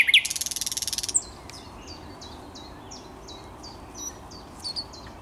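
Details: Thrush nightingale in song on 10 May 2021. It opens with a loud, dry, rapid rattle lasting about a second, followed by a string of faint, evenly spaced high down-slurred notes.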